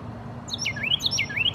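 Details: A Carolina wren sings from a tree: loud, rich whistled phrases that swoop down and back up, about two per second, over a faint low background hum.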